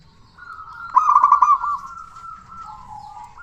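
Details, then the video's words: Zebra dove, a local bird prized for loud, frequent song and used as a lure to excite other doves: a quick stuttering burst of coo notes, then a long steady hum-like tone that drops lower. "Perkutut Lokal Gacor Suara Besar Pancingan Burung Perkutut Agar Cepat Bunyi"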